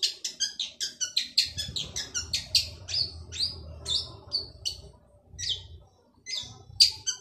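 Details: Male long-tailed shrike singing hard: rapid chattering harsh notes at first, then slower, louder buzzy and squeaky notes with brief pauses, over light low-pitched background noise.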